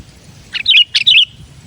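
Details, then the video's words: Two rapid, gurgling phrases from a sooty-headed bulbul, each a cluster of bright warbled notes ending in a short drawn-out tone, used as a lure song for wild bulbuls; background otherwise quiet. "Suara Burung Kutilang Gacor Ampuh buat pikat burung kutilang"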